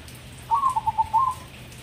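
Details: Crossbred zebra dove, a captive bird, cooing: one short phrase of soft, mellow whistled coos, a drawn note followed by quick pulsed notes and a final longer coo.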